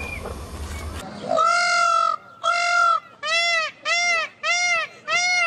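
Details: Peafowl giving loud nasal, honking calls, two longer drawn notes followed by four shorter evenly spaced ones, after a brief snatch of music.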